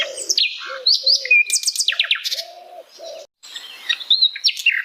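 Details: Wild Asian brown flycatcher in natural habitat delivering a jumbled song of rapid descending chirp series and thin whistles, with soft low hooting notes repeated between phrases.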